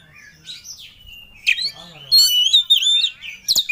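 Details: Worked-up Oriental magpie-robin in 'ngobra' style, seeking a rival: soft wavering whistles build into a loud, sustained, rich warble, closing with abrupt sharp notes.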